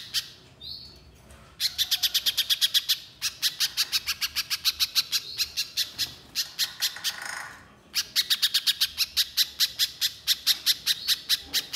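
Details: Long, dense runs of sharp, dry ticking notes from a vigorously singing little spiderhunter, four bursts of rapid tight rattles with a brief whistle at the outset.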